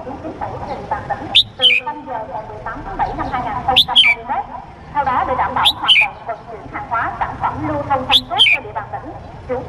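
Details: Red-whiskered bulbul male from Cambodia calling a female, as a lure call: a crisp three-note whistled phrase repeated four times at roughly two-second intervals, against a busy murmur of voices and low hum.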